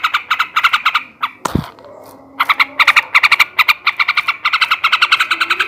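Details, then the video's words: Rapid scratchy ngekek chatter from a male sooty-headed bulbul, used to excite breeding condition; quick rattling runs broken by a sharp thump and a short gap before the chattering resumes. "kicau suara burung trucukan jantan ngebrem ngekek garuda ini ampuh menaikkan birahi trucukan bahan"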